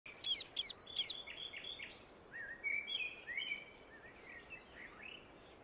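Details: Indian ringneck parakeet calling in nature: three loud, harsh, high screeches in quick succession, followed by softer scattered chirps and short warbled notes over a steady background hiss.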